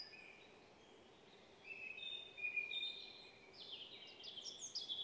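Eurasian nuthatch giving thin, high whistled notes, a few spaced out, then a quicker run of sharp rising notes at the end, over steady background hiss.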